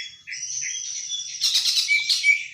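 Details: A young caged Greater green leafbird, recorded in the morning around sunrise and stirred by surrounding birds, sings a high, unbroken twittering warble that swells halfway into louder, richer bursts of varied notes.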